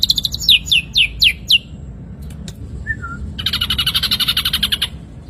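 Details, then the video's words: Ashy drongo song used for training songbirds: five sharp whistled notes slurring steeply downward, a short soft low note, then a dense buzzy rattle of rapid pulses. "materi masteran burung srigunting abu - abu"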